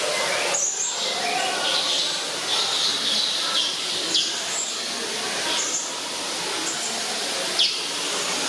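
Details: A blue-crowned hanging parrot at Schönbrunn Zoo, Vienna, gives a few thin, high, shrill squeaks, spaced irregularly a second or two apart over a steady hissing background.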